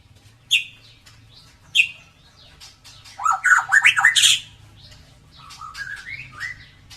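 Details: Gacor white-rumped shama with a klewer tail singing as a lure for quiet birds: two sharp high calls, then a loud jumbled burst of rapid whistles and squeaks, fading into softer rising whistled notes over a faint hum.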